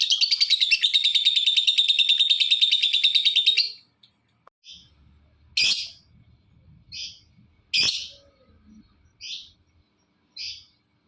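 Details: Lovebird calling to provoke other lovebirds into calling: a long, fast, buzzy chattering trill of about three and a half seconds, then sharp, high chirps spaced one to two seconds apart.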